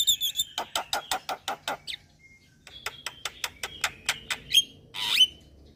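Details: Lure sound for starlings such as Javan myna, black-winged myna and Nias hill myna: a fast run of dry clicking notes about five per second, a short pause, then more clicks ending in a loud harsh squawk.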